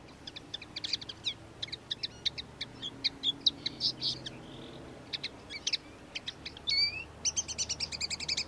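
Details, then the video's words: A common linnet sings in a backyard: a fast, rambling twitter of short high chirps, fluting notes and brief dry trills, several phrases a second, over a faint low hum. "Linnet sings"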